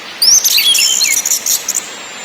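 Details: Orange-headed thrush song in ngakrak, ngeplong and nyiul styles, used as a lure to make birds sing: about two seconds of high, quick whistled notes and rapid twittering trills, rising slides among them, over a faint steady hiss.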